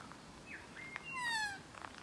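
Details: Single loud, harmonic, downward-gliding call from a close magpie, preceded by a few soft whistled notes and light clicks.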